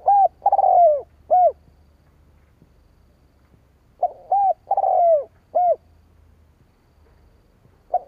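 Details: Spotted dove cooing, a call used to lure rival doves: bursts of low hollow coos in two groups about four seconds apart, each with short and drawn-out notes, then quiet.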